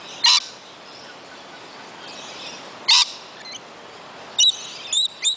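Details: Wild lorikeets in their own forest at Kioloa, Australia, giving harsh, shrill screeches: two long bursts, then a quick string of sharp shrieks, over steady hiss.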